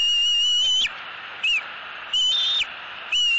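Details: An eaglet in southwest Florida begs its mother for fish. High, level, piercing whistled notes with short upward flicks alternate with quiet gaps, about three bursts in a few seconds.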